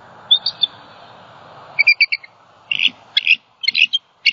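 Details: Distressed female bald eagle at her nest in Southwest Florida, 28 December 2020, after a great horned owl knocked the male from the nest. Repeated high chattering chirps in short stuttered runs, growing harsher and squealier toward the end.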